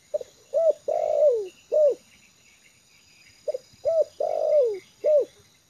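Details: Trained decoy spotted dove, settled and comfortable on the ground, cooing two phrases: each a short note, a quick rising-falling coo, a long drawn coo sliding downward, then a final short coo, with a pause between phrases.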